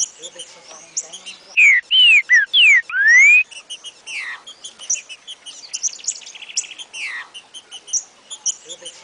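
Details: Green-winged Saltator singing a rare song type, a burst of four loud, clear whistled slurs, rising and falling, followed by softer chattering notes from other small birds.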